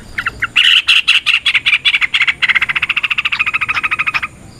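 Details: Yellow-vented bulbul in fighting mode, a recording used to provoke other bulbuls into singing and fighting: a rapid series of harsh, buzzy notes repeated about eight times per second, steady then slightly faster toward the end.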